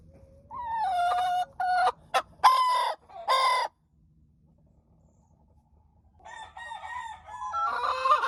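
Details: Hen crowing: drawn-out, harmonically rich crowing phrases with stepped pitch in the first few seconds, a pause of near silence, then a second hoarse rising crow building toward the end.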